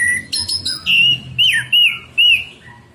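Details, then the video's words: Orange-headed thrush song played as morning therapy to get caged birds singing: clear whistled phrases, several arched slurred notes repeated about every half second, with higher thin notes above, loud and close. "terapi Anis merah ngeplong pagi pancingan anis merah macet bunyi masteran anis merah cepat bunyi"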